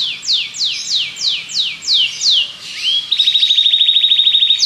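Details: Belgian canary song: descending swept notes repeated about every third of a second, then a rising note leading into a rapid, even, high trill.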